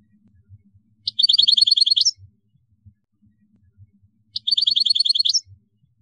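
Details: Caged European goldfinch song extract: two bursts of rapid, bright twittering notes about a second long each, separated by a quiet gap with faint low background thuds.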